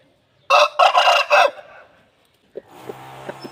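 An Aseel rooster gives one loud, hoarse crow of four rough, stuttering pulses lasting about a second, followed by faint background hiss and a few soft knocks.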